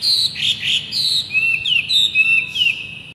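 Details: Masked laughingthrush singing steadily as a training model for young birds: a brief series of bright whistles, including long level tones and downward slurs, with little background noise.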